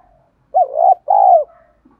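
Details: Decoy spotted dove giving an urging coo meant to provoke wild males into calling, a voice described as đồng pha thổ; two loud, mellow hooting coos, the second longer and falling at the end, in otherwise quiet surroundings.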